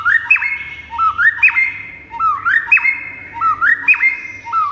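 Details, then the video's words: White-rumped shama master recording meant to make listening birds respond and sing; a rising two-step whistled phrase ending in a sharp upslur, repeated about once a second, with faint high ticks. "HITUNGAN MENIT DIJAMIN AUTO RESPON DAN NYAUT GACOR DENGAR MASTERAN MURAI INI"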